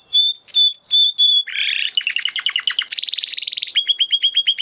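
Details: Spanish Timbrado canary singing: clear whistled notes repeated about every half second, then a buzzy rattle, fast clicking rolls, a rapid metallic trill and quick repeated chips.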